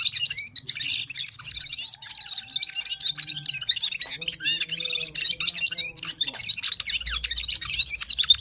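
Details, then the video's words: Full-power song of a Parachinar Himalayan Gulsar: a continuous, dense chatter of sharp high chirps and trills, with a few lower held tones in the middle. "Gulsar singing parachinar Himalayan top bird full power sings"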